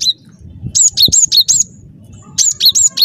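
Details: Lively gacor song of a cinereous tit, offered as a trapping lure: rapid high, piercing notes in quick succession, a bright upper tone sliding down to a lower one, with soft low noise and a knock underneath.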